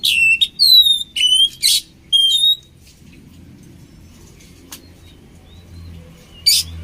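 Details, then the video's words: Oriental magpie-robin singing, a recording used to train birds: several clear pure whistled notes and a harsh burst in the first few seconds, then mostly low hum with a faint click and one final rasping note. "SUARA KACER KOMBINASI AMPUH UNTUK MELATIH MENTAL KACER"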